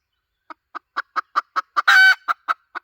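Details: Hen's lure call: a steady series of eleven short clucks about every quarter second, broken near the end by one loud, drawn, harmonic squawk. Two clucks follow it against a silent background.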